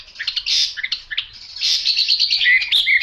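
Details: Chinese hwamei with a yellow bill and yellow legs sings a loud, fast, varied run of high chirps, trills and clear whistled slurs, bright and tumbling, with no other sounds.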